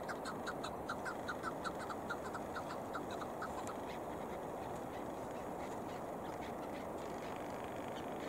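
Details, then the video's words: Chukar calling during a hunt: a fast run of short, clipped chuk notes, evenly spaced, fading out after about four seconds, over a steady broad hiss. "Шикор Охота на Кеклики Keklik sesi avi Шикори Бебарор"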